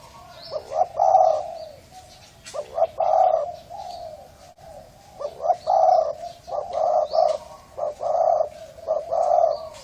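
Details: Spotted dove of a Thai strain with a hoarse voice, cooing to stimulate males and females and lure wild doves. Gruff, low coos come in repeated three- to four-note phrases, each ending in a longer drawn note, with faint chirps higher up.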